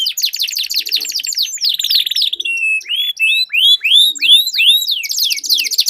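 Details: Canaries singing against each other in a duel, long rolling song: a rapid buzzy trill gives way to a held whistle, then loud separate rising slurs that overlap and cross between birds.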